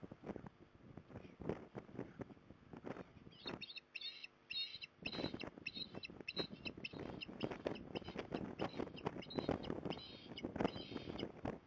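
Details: Female osprey at Port Lincoln, Australia, on 5 December 2020, calling from a magpie perch to lure her juvenile back home; after a few seconds of wind rumble, thin high whistled chirps repeat in quick runs over constant gusty noise.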